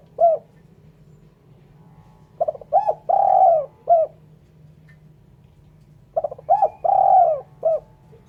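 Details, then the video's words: Spotted dove giving its call, a clean recording meant for luring birds; two full phrases of short stuttered coos, a long drawn-out mellow coo and a final short coo, separated by about three seconds of quiet. "Suara Burung Terkukur/Derkuku bersih cocok untuk PIKAt."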